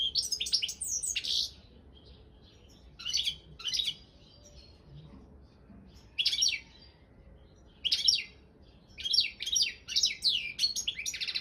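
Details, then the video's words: Balkan goldfinch, Carduelis carduelis balcanica, entered in an online world singing championship: bursts of bright twittering and tinkling notes high in pitch, separated by short pauses, with a quiet indoor background. "World Championship in Goldfinch Song"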